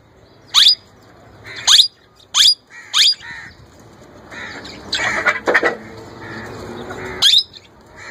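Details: Pet young male plum-headed parakeet attempting to talk and imitate a ringneck parrot: four quick, shrill squawks in the first three seconds, then a noisy rustling stretch, then one more sharp high call near the end.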